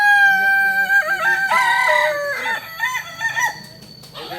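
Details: Kokok Balenggek chicken, a native rooster breed from Solok, West Sumatra, whose crow rises and falls in many tiers; a long harmonic crow stepping through several pitch levels, then shorter wavering notes fading out, a steady high whine behind.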